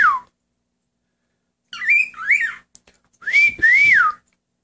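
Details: Pet male cockatiel singing indoors while its owner sings along and encourages it: a short falling whistle, then a pair of harmonic-rich rising-and-falling whistled phrases, then two longer warbling whistles after a brief pause.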